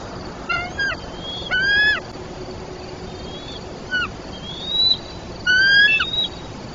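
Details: Bald eagle family at a tree nest in Trempealeau, Wisconsin, at 4:13 am; an 81-day-old eaglet squeeing wakes its 77-day-old sibling and both adults. High, thin piping notes in short stuttered bursts with a sliding whistle between, over a steady background hiss.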